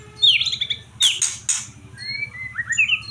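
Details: White-rumped shama, described as fired up and in top form, from the songbird-contest hobby scene: clear whistled phrases near mid-high pitch with slurred falling notes, interrupted by harsh, buzzy broadband bursts, then rising whistles; faint low hum underneath.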